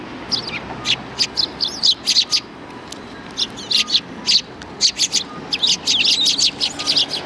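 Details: Several sparrows behind a civic cultural hall, 17 January 2020, keeping up a busy chatter of brief high chirps, often in quick pairs or triplets, with short pauses between clusters.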